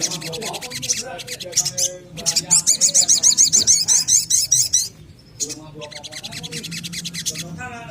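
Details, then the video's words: Little spiderhunter used as a singing lure: scattered shrill chips, then a steady, rapid train of sharp high notes lasting about two and a half seconds, ending in softer chatter. "SOGON gacor narung cocok untuk pancingan SOGON bahan agar cepat bunyi rajin dan gacor"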